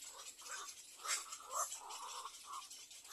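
Little egret chicks beg with harsh, raspy chattering, about two bursts a second, over a steady hiss.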